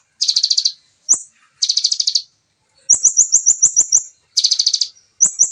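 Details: Rapid 'nembak' style singing by a Bar-winged prinia, dense and clean in natural voice: buzzy rattling trills, lone sharp rising notes, and a long run of stuttered high chips about three per second.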